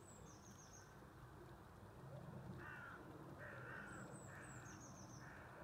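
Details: A captive flock of African penguins (Spheniscus demersus) at Birdworld, UK, gives harsh, hoarse calls in short braying bursts against a steady background hum, with thin high chirps from small birds.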